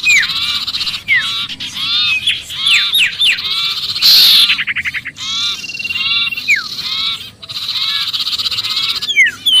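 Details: Sirpu distress calls as if caught, used to lure other birds: repeated arching chirps and downslurred notes in quick series, a harsh buzzy rattle midway, then more excited chattering.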